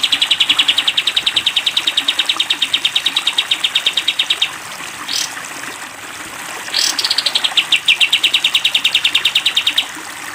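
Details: Sooty-headed bulbul 'tembak panjang' song for cage-bird training: a long rapid trill of high even notes lasting over four seconds, a pause with two short rising sweeps, then another fast trill of about three seconds.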